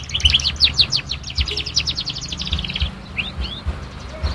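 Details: Young canary learning to sing: a fast rattling trill of sharp descending notes for about three seconds, followed by two upward slurred whistles.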